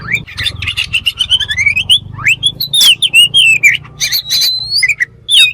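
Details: Kacer (oriental magpie-robin) singing to prompt other kacer birds; slurred rising whistles and warbled phrases over a faint low hum, with a sustained high whistled note near the end.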